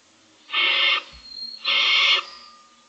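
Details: Six Barn Owl owlets in a nest box, filmed by camera on the morning of day 25, begging for food: two harsh, rasping hisses, each about half a second long, separated by a short pause.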